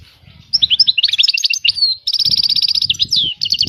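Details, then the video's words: Continuous song of a European goldfinch: tumbling, tinkling twitters give way to a long run of rapid buzzy trilled notes, then further twitters and trills, over a low murmur of background noise. "طائر الحسون. اجمل الطيور المغردة Goldfinch. The most beautiful songbirds"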